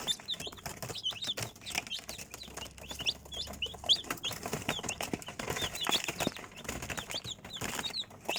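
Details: Chicks giving high, short falling peeps at an irregular pace, with frequent clicks and rustling in the background.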